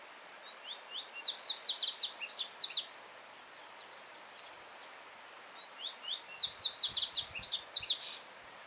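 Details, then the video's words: Yellow-bellied seedeater in the wild, singing freely: a strong melodious phrase of rapid upswept high notes, a five-second gap, then a second similar phrase ending in a sharper note, with gentle stream water flowing throughout. "Coleiro Baiano Cantando Forte com Som de Riacho ao Fundo"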